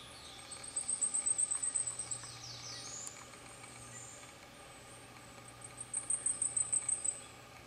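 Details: One of two Blackpoll warblers bathing in a stream in Fairfax Station, Virginia, gives two runs of about a dozen very high, thin, evenly spaced ticking notes, each over a second long, over a low steady hum.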